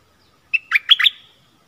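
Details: Caged stripe-throated bulbul singing to draw in wild birds, which came but did not land, 1 April 2021. One bright, bubbling burst of four quick, liquid notes over a faint thin whistle.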